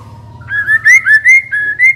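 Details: Decoy white-rumped shama kept in a cage, giving a short phrase of clear, pure whistled notes, a low opening tone then five slightly rising whistles in even rhythm over a faint low hum.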